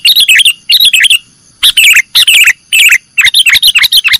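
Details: Sooty-headed bulbul singing 'nggaruda' style, recorded as a master track for cage-bird training: short clusters of rapid, liquid chirps with wavering pitch, separated by brief gaps, repeated about every half second.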